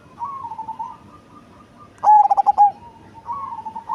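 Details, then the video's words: Deep-voiced, large-bodied Cemani zebra dove: soft wavering coos, then a single loud phrase of rapid clipped notes closing on a long held coo, followed by more gentle cooing. "Perkutut Cemani Body Besar Suara Besar dan Ngebas"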